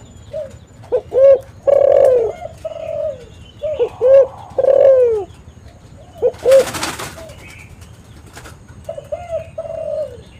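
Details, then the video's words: Spotted dove lure call for catching doves: two loud cooing phrases, each with short stuttered notes and a long falling coo. A brief rustling burst follows, then faint cooing resumes. "SUARA BURUNG TEKUKUR ini JAGO MEMANGGIL untuk PANCINGAN & PIKAT"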